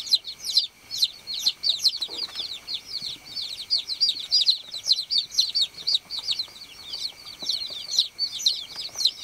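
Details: Several baby chicks on a farm give a steady, crowded chorus of shrill, quick peeps, each a short falling note, overlapping without pause throughout.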